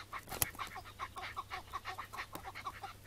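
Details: Chukar partridge, the Iraqi variety, on a May 2017 morning, calling while being caught before release: a steady run of short, hoarse chuck notes about three per second, with a constant low hum and one sharp click.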